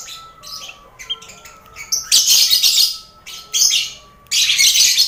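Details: Lovebirds in a busy colony cage shared with finches and quail, kept to train contest lovebirds' nerve: a thin steady tone under scattered chirps, then loud harsh bursts of shrill chatter from about two seconds on.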